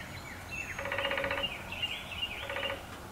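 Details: Male downy woodpecker drumming on a 150-year-old black walnut on terraced farmland in Appalachia: two rapid, even rolls of taps, each under a second long, over a steady outdoor background hiss.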